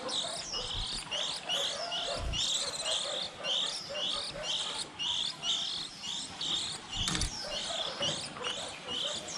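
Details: Fledgling white-eyes at the start of the season, the sort of recording used as trapping bait: a steady stream of high, squeaky, rising and falling chirps, about one burst a second, over a constant hiss.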